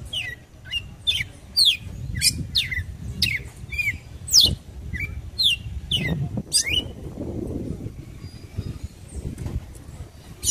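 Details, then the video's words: Red-cowled cardinal calling to stir up a male: rapid bright chirped notes, steeply sliding slurs in quick succession for about seven seconds, then fading into low rustling and background noise. "GALO CAMPINA CHAMANDO PARA ESQUENTA SE MACHO"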